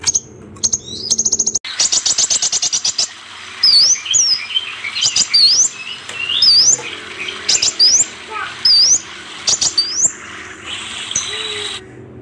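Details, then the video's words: Kolibri ninja sunbird, kept as a cage bird in Indonesia, opens with rapid high clicks, then gives sharp rising and falling high whistles and thin chirps in quick bursts. "Terapi Kolibri ninja malas bunyi"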